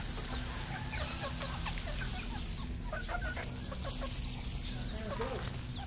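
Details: Several red junglefowl (Gallus gallus) on a farm in Cambodia cluck in short, overlapping bursts at once, over a steady low mechanical hum.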